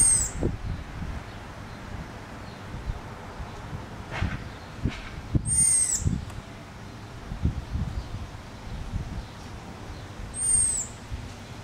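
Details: A rarely heard American robin call, Regina, Saskatchewan, 20 July 2014: three very high, thin, slightly wavering whistles a few seconds apart, over low rumbling thumps and steady background noise.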